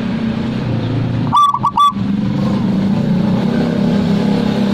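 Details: Zebra dove giving a single brief cooing phrase of three notes, partly masked by steady engine-like hum in the background.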